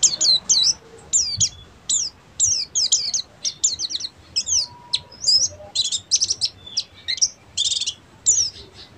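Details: Oriental white-eye of the buxtomi type in full ngeriwik song: rapid bursts of thin, high twittering notes and sharp sweeping chirps, phrases separated by short pauses across nine seconds, against quiet background hiss.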